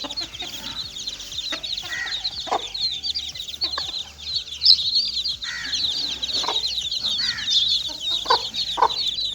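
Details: Little chicken chicks playing: a dense, continuous chorus of high thin peeps from many chicks, with occasional louder lower clucking notes every second or two.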